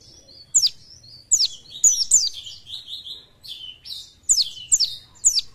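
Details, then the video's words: An Oriental white-eye sings a high, thin twittering song of quick downslurred chirps and brief trills, in bursts about every half second, with little else heard. "PLECI JOSS ..BUKPAR KEREN..FIT NGICAU LOSS"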